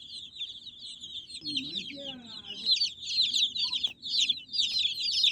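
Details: High-pitched peeping from a group of baby chicks, a steady overlapping chatter that grows louder toward the end, with brief human speech in Telugu early on.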